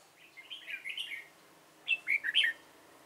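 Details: Caged red-whiskered bulbul decoy singing at a bird trap to attract wild bulbuls: two short warbling phrases of rolling, chattering whistles, the second louder and more emphatic.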